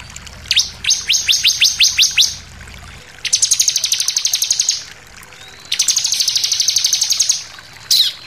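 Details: Bar-winged prinia song used as bait to trigger singing in other birds: a series of sharp falling notes, then two long, fast, buzzy trills of high repeated notes, ending with one loud note.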